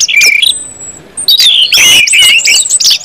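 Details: Orange-headed thrush singing ngeplong style to prompt other birds: a couple of warbled phrases, a thin high whistle, then a loud burst of tumbling whistled notes.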